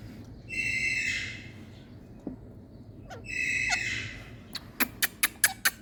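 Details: Rose-ringed parakeet, an Indian parrot playing and 'talking' (Mithu Mithu): two harsh, grating squawks about three seconds apart, then a quick run of sharp tapping clicks; no clear words heard.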